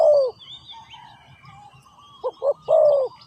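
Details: Low, mellow cooing of a spotted dove used as a ground-trapping decoy: the tail of one falling coo, a gap with faint bird whistles, then two short hoots and a long sliding coo.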